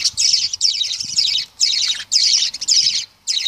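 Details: Lovebirds giving shrill, high-pitched chattering in dense half-second bursts, each broken by brief silences, about six bursts in quick succession.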